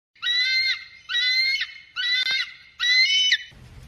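An eagle gives four loud, harsh, high screams, each about half a second long and spaced roughly a second apart, followed by a brief rustle.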